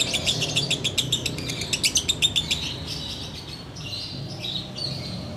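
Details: Caged sooty-headed bulbul during Ramadan, before the fast is broken: a fast ngekek chatter of rapid repeated notes for about two seconds, then slower bright whistled chirps, over a quiet low hum.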